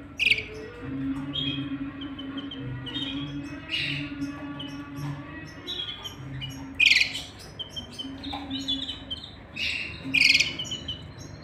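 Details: Male and female canary together while chicks are fed in the nest: a run of bright, abrupt chirps at irregular intervals, some sharp and high, with soft twittering between them and a low background hum.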